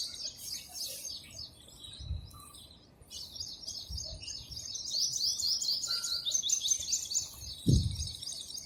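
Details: Sparrows eating food keep up a busy stream of high, short chirps and twitters throughout, with a few dull low thumps in the background.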